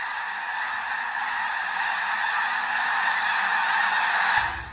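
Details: In early spring in southern Alberta, a huge flock of migrating snow geese, stopping to refuel on the way to Arctic nesting grounds, gives countless overlapping nasal honks that merge into a continuous high, barking roar.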